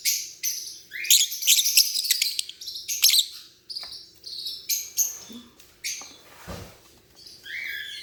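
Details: Pet lovebird chirping: bursts of bright, high, twittering chirps in quick clusters with short pauses, some harsher buzzy notes, and a brief low thump near the end.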